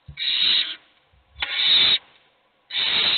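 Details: Hungry owl chicks, one of them being fed, give three long, harsh hissing rasps, each about half a second or more, separated by quiet gaps.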